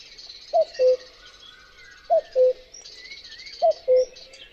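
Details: Common cuckoo (Cuculus canorus), a summer migrant to Europe and Asia, giving its classic two-note cu-coo, higher note dropping to lower, repeated about every one and a half seconds; faint birdsong behind.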